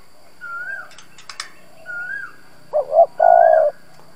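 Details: Spotted dove used as a lure to draw wild doves. Two soft slurred whistles from another bird and a few sharp clicks come first, then a loud double note and a long, low, husky coo.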